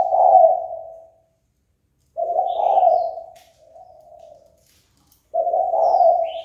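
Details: Spotted dove calling to provoke rivals into fighting: low, hoarse coos of about a second each, with a fainter softer coo between them. Faint high chirps from other birds sound in the background.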